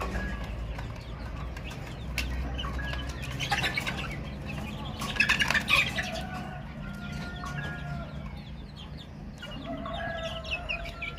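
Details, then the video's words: Baby chicks chirping in a flock: many short, high, down-slurred peeps overlap at an irregular rapid pace, with a brief burst of wing flapping or scuffling midway and a steady low rumble underneath. "Chicks Chirping Sounds - Baby Chicken Sounds"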